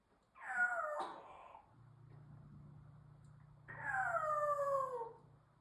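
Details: A pet African Grey (Congo) parrot, bird watching, gives two drawn-out, falling, cat-like wails about three seconds apart, with a low steady hum in between.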